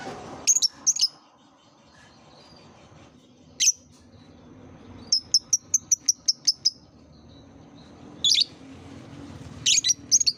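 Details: Lovebird chirping used to coax young birds learning to sing: scattered shrill high chirps, then a quick run of about eight thin squeaks, then more paired piercing chirps near the end.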